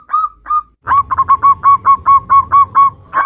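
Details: Local zebra dove singing the nutut variation used as a lure for other zebra doves: two separate whistled notes, a pause, then an even run of clipped coos at a steady pace over low rumble.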